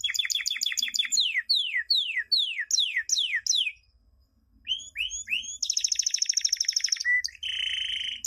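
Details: Canary song for teaching young birds, a 2016 champion training recording: series of bold downward-sliding whistles, a short pause, rising notes, then a fast high trill and a lower buzzy roll.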